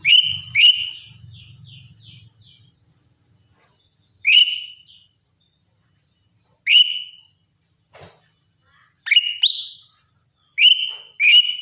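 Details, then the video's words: Morning song of a lesser green leafbird: clear whistled notes, often in quick pairs, each sweeping up sharply then holding a flat tone, separated by pauses of silence, with a brief click midway. "cucak ijo mini RUTINITAS bunyi di pagi hari"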